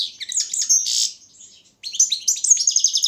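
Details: European goldfinch of the Balkan subspecies carduelis balcanica, an entry in an online world championship for goldfinch song, sings high liquid twitters and buzzy trills, pauses briefly, then resumes with rapid tinkling notes.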